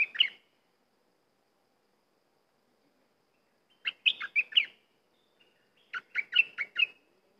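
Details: Cream-vented bulbul song: a short opening chirp, then after a pause two rapid bubbling phrases of five to six warbled notes each, clear against a silent background.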